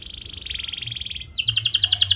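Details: Canary song for drawing other canaries into singing: a steady rapid trill on one pitch, then a sudden louder, higher burst of quick sharp notes.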